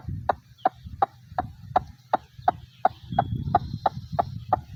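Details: White-breasted waterhen from Bangladesh wetlands: a rapid series of sharp, knocking clicks nearly three per second, with low rumbling background noise and a faint thin whistle.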